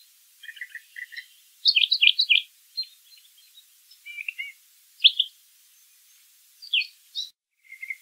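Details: Brown thrasher singing outdoors with a string of varied phrases, several doubled or tripled, ranging from low clipped chips to higher buzzy slurs, over faint background hiss.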